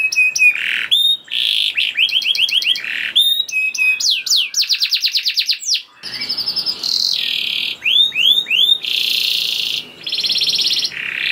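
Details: Varied canary song played to prompt other canaries to sing: quick-changing tours of buzzy notes, rapid rattling trills, bright upswept whistles and sustained tones, switching phrase every second or so.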